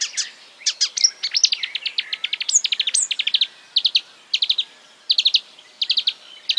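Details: Imitations of other birds strung together by a marsh warbler: rapid dry chip series, a couple of high squeaky whistles, then clipped clusters of three or four sharp notes with brief pauses.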